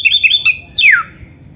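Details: Oriental magpie-robin training song fragment: a few quick high whistled notes followed by one long, smoothly descending whistle.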